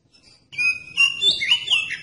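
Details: Oriental magpie-robin song played to provoke other magpie-robins into singing: after a quiet start, a loud held whistle, then varied warbling whistled phrases with downward slurs.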